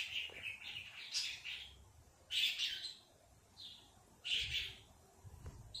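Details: Backyard robin tweeting on an evening in June 2024: a few high, thin chirped phrases separated by gaps of a second or more, softer and more spaced out, over a quiet background.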